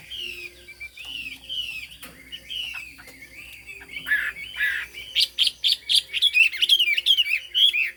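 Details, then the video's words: A Chinese hwamei from Vietnam's Hà Giang highlands starts with softer, drawn-out whistles, then builds into loud, rapid, ringing phrases with sharp high notes repeated about twice a second. "Họa mi hót cao cầu, đuôi lá vả, mỏ nghệ"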